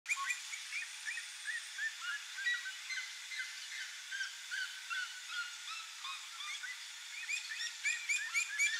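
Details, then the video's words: Pair of red-legged seriemas (Cariama cristata) singing together, a dense, rapid stream of short yelping notes that overlap and rise in intensity toward the end. "RED-LEGGED SERIEMA Couple, NATURE SINGERS"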